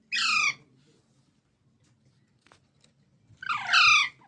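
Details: Baby parrots producing two loud harsh squawks, one at the start and a longer one near the end, with a quiet gap and faint low hum between.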